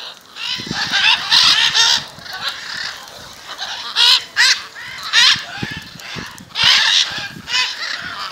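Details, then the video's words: Harsh macaw squawks from a flock gathered in front of a house in Jaumave, Tamaulipas, Mexico, in February 2015, coming in bursts of several overlapping calls with short quieter gaps and soft tapping noises. "Guacamayas, Jaumave Tamaulipas"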